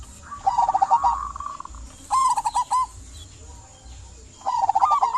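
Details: Local zebra dove singing to encourage silent doves: three separate bursts of fast, rolling, bubbling coos with quiet gaps between them and a constant faint hiss behind.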